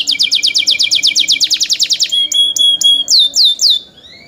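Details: Young kept canaries deliver a fast series of high repeated chirps, then sharp clicks and steady whistles, finishing with a few falling slurs before fading.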